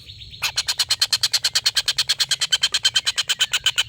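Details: Collared kingfisher long laughing call, kept as a tutor for competition songbirds: a brief thin note, then a steady, rapid series of loud, harsh kek notes lasting several seconds.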